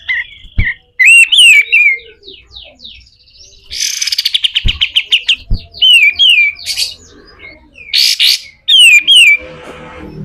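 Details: Pied triller tutor song in coarse 'besetan kasar' style: looping whistled slurs, an accelerating run of quick chips, and harsh rasps, with occasional sharp clicks.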